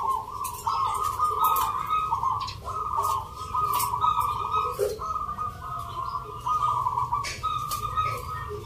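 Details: At a contest of local zebra doves in Yogyakarta, Indonesia, held Sunday 19 November and judged on the Mentaraman Nglagu Ngepat song style, several birds give rhythmic trilling coos in repeated phrases a few seconds long. Background clatter is audible.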